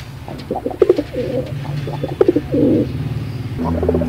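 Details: Repeated pigeon coos, each a run of quick stuttering notes ending in a long, throaty rolling coo, heard twice before a low mechanical hum rises.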